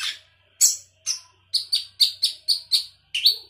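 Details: Sooty-headed bulbul singing vigorously with isian fill-in to overpower rivals: after two harsh notes, a rhythmic series of about eight bright whistled chirps, roughly two per second, ending with a rising note.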